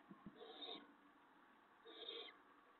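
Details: Barn owl at the nest before dawn, 5:01 AM on 6 April 2017, as an adult brings a vole that an owlet eats; two short hoarse hissing bursts, each about a third of a second, separated by a pause of over a second.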